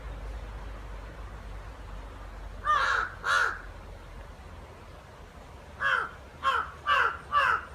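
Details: After about two and a half seconds of quiet, two harsh caws ring out, then a pause, then four more caws spaced roughly half a second apart, from two crows fighting.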